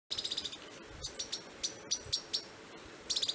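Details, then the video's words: Southern bristle-tyrant recorded on 1 June 2018 in Prados, Minas Gerais, Brazil: high, thin rapid trills of short notes opening and closing, with scattered single sharp chips between them over soft background hiss. "BORBOLETINHA-DO-MATO (Phylloscartes ventralis)"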